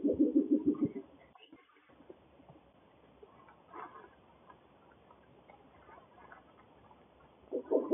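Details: Duetting breeding pair of Spectacled Owls in Guanacaste, Costa Rica: a second-long run of rapid low pulsed hoots opens, followed by a long quiet stretch with faint background sounds, and a new hooting burst starting at the end.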